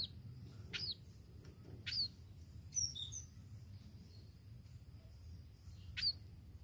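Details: A tame sparrow gives a few short, high, thin chirps, spaced about a second apart, with pauses between them over a low background hum.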